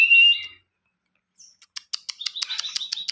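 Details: Ciwah singing actively, recorded as tutor audio for training other songbirds: a loud high whistled note, a brief pause, then a rapid series of sharp dry clicks merging into a buzzy trill.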